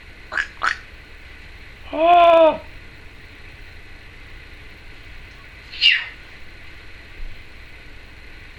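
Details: Pet female Timneh African grey parrot chattering and making noises indoors: two brief sharp clicks, a nasal harmonic quacking call, then a loud burst after a pause, quiet room otherwise.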